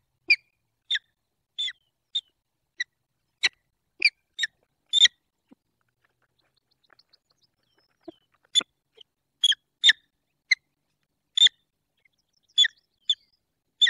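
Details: Peregrine falcons courting and mating at a nest in Poland's Barycz Valley, late February 2023. Loud, clipped, scratchy notes come in uneven series, with a pause of a few seconds midway before the calling resumes.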